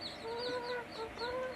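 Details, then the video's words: A male rose-ringed (ringneck) parakeet talks in Bangla/Hindi in short, voice-like phrases with gliding, slightly nasal tones, three bursts in under two seconds. "Ringneck Talking Parrot Full Mosti || Cute And Funny Male Green Parrot Speak in Bangla/Hindi"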